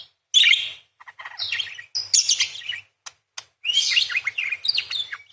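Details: Parakeet in active song, 'crecet' roll style: loud scratchy chattering bursts mixed with squeaky whistles and sharp clicks, broken by brief gaps, then a second long, busy run of twittering notes.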